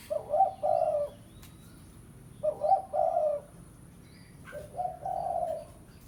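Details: Rival-calling lure coos of a spotted dove, pesom type: three well-spaced phrases, each with a quick rising opener and a sustained low coo, roughly two seconds apart in quiet surroundings.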